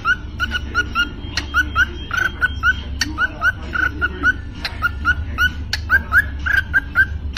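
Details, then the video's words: 'Happy new year' sung by a pet parrot: a long string of short whistled notes, roughly one each half second, broken by sharp clicks and a few rasping sounds, over a continuous low hum. "Parrot sing song (Happy new year)"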